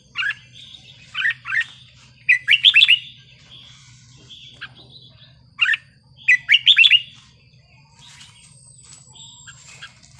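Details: Red-whiskered bulbul giving wild-type song phrases, clusters of quick whistled and chattering notes separated by silent gaps of a few seconds, faint hum underneath.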